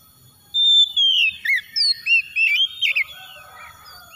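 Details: Oriental magpie-robin song used as a lure to provoke singing. It opens with a long, bright whistle, then gives a rapid series of varied twisting whistled notes and short warbles that trail off into softer, lower phrases.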